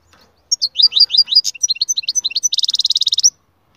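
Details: Canary singing loud, described as its strongest song: a rapid run of sharp downward-sweeping whistled notes, then a dense, fast buzzy trill lasting under a second, in a quiet setting.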